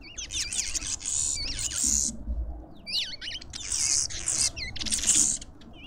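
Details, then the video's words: Lovebirds at a feeder in a suburban garden in Pretoria, South Africa: harsh, buzzy high screeching bursts alternating with quick rising and falling squeaky whistles, chattering almost without pause, with a faint low rumble beneath. "Lovebirds endlessly"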